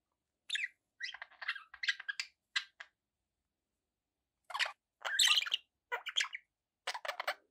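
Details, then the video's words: Budgerigars kept as pets give clipped, scratchy chirps in little clusters, then fall silent for nearly two seconds before a louder burst of squeaky warbling resumes. "1 hour of budgie sounds with background noise for relaxation"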